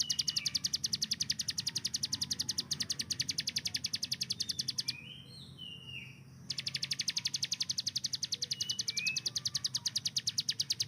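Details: Hill prinia used for training songbirds delivers its fast 'tembakan' burst song, a long rattling chain of high ticks that stops for about a second and a half, when other birds' short whistles are heard, then resumes.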